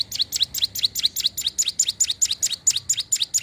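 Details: Sunda warbler in lively song: a fast, high series of sharp chirping notes, each dropping in pitch, repeated about twice per second and steadily throughout, with faint low hum beneath.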